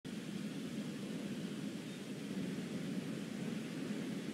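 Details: Steady low rumbling hiss of wind or distant traffic throughout, with no animal calls heard.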